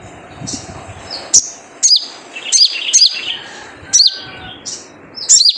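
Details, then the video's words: Wild sunbird known as sogon giving its typical lure call to encourage kept birds to sing: a run of shrill downslurred chirps, some doubled, spaced roughly half a second apart with a faint buzzy trill between. "Jrejet Cuit Suara Panggilan Khas Sogon Liar untuk pancingan sogon agar gacor"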